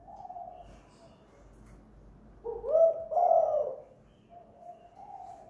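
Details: Spotted dove, a lure bird at home giving the two-note hanging 'kuk gantung' coo: quiet low cooing, then a strong rolling two-part coo mid-clip, followed by softer notes.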